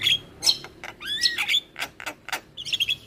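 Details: Javan myna lure song packed with fill-ins to prompt other mynas to reply: scratchy chatter with upslurred whistles, a curved whistle near the middle and a rapid twittering trill at the end.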